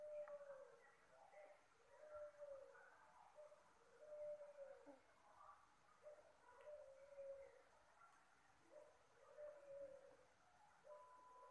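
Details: Soft Puter Pelung dove call, used to lure birds: quiet, low coo phrases repeated roughly every two seconds, each a short sliding note over a faint background hiss.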